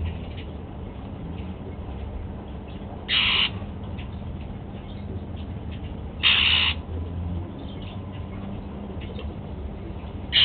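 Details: Captive golden-fronted leafbird, a male eating apple at breakfast time, repeats a short, rasping, buzzy note roughly every three seconds. Steady low background hum throughout.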